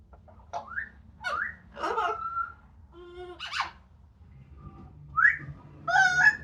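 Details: Sunny outdoor scene with a pet Yellow-naped amazon noisily drying off after a shower: short upslurred whistles and sliding notes, a brief tonal hoot, and a bright rising whistle, separated by quiet gaps.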